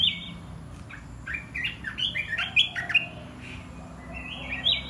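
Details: Mixed caged red-whiskered bulbuls, 'dok taeng' and 'ta daeng' types, deliver choppy, chattering whistled phrases, short notes tumbling quickly with brief pauses, over a constant low hum.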